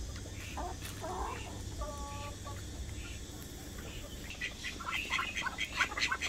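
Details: White call ducks give short nasal quacks, one held and evenly pitched, then a quick flurry of higher chattering calls over a steady low background hum.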